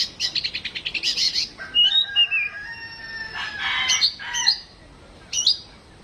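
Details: Household Oriental magpie-robin kept at home, singing during a mental test: a fast, buzzy stuttering trill, then long harmonic whistled tones, sliding notes and short sharp chips.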